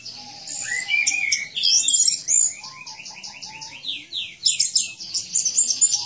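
An orange-headed thrush pours out a fast, unbroken song of bright whistles, sweeping slurred notes and rapid trilled runs, mostly high-pitched with a few lower fluty phrases.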